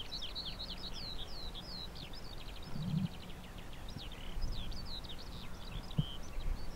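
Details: Skylark in song beside wind turbines, Balsham, Cambridgeshire, 30 March 2021; fast chirruping, twittering phrases run on unbroken, high and liquid, against a constant low mechanical drone with a faint thud or two.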